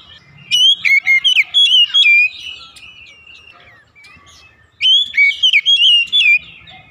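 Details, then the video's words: Morning singing by a white-rumped shama: two energetic bursts of quick, clear whistles and chirps, separated by a few seconds of faint notes. "TERAPI OCEHAN KACER DI PAGI HARI"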